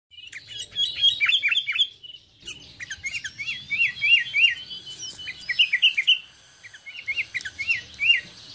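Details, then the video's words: Sooty-headed bulbul recorded around a residence gives bright, bubbly whistled phrases, quick notes rising and falling in short bursts, with a few brief pauses. "SUARA BURUNG KUTILANG, CANGKURILEUNG | SOOTY HEADED BULBUL SOUNDS"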